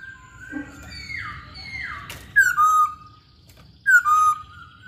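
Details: Masked laughingthrush in lively voice. Soft descending whistles precede two loud, sharp downslurred whistles, each trailing into a level tone, about a second and a half apart.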